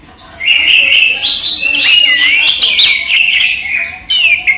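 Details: Orange-headed thrush, called anis merah, a kept bird singing during the day: after a quiet start, a sustained loud jumble of whistled and buzzy notes, then a short final phrase.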